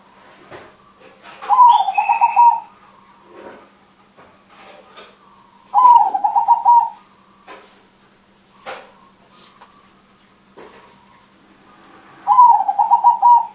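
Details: Big-voiced crossbred zebra dove singing actively as a lure for other birds. Three rapid pulsing coo phrases of about one second each, spaced four to six seconds apart, with soft clicks and a low hum in the background.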